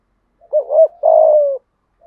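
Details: Single thúc gù phrase from a spotted dove with a deep voice: a quick wavering double coo running straight into a long, even, slightly falling hoot; quiet background.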